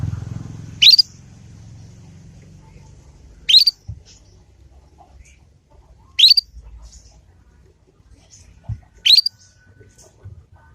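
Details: Young Yorkshire canary producing its learned ngriwik sound, meant to lure other canaries into replying and learning: four quick upward-slurred chirps at steady gaps of about two and a half to three seconds, faint thumps below.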